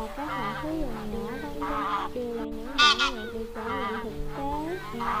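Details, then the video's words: Wild geese calling to gather the flock, used as a lure for net trapping: overlapping nasal honks, some steady and some wavering, with a louder harsh burst near the middle and a constant hum beneath. "Tiếng Con Ngỗng Trời Kêu Gọi Bầy"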